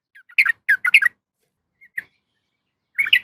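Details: Sooty-headed bulbul female calling a male: a few separate sharp bubbly notes, a long pause with one isolated note, then a short burst of chattering at the end.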